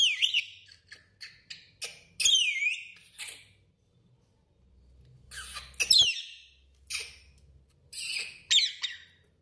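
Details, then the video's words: Lorikeet in a washroom giving shrill, high-pitched calls: rapid sharp chirps and harsh screechy squawks in bursts, much higher and rougher than whistling, with a faint low hum in the background. "lorikeet laila whistling in washroom"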